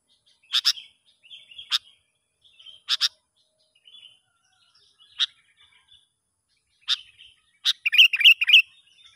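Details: Sooty-headed bulbul in the wild, heard while a young lure bird is tested: a run of sharp chip notes at uneven intervals, ending in a quick burst of bubbly, fluttering whistles.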